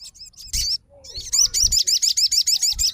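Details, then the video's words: After a couple of short chirps, a sogon fighter responding to another sogon launches into a fast, even series of high, hooked whistled notes, roughly five per second. "SOGON FIGHTER LANGSUNG RESPON DENGAR SUARA SOGON GACOR"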